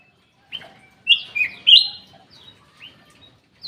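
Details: Aviary black-capped bulbul in full song. Silence breaks into a short rising whistle, then bold slurred whistles that rise and fall, ending with a few softer scattered notes.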